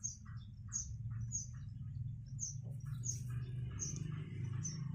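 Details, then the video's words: Nestling Javan mynas, five days old, fed by both parents on grasshoppers and caterpillars; short, high, thin chirps come roughly every half second over a constant low droning hum. "Indukan Burung Jalak meloloh Anaknya"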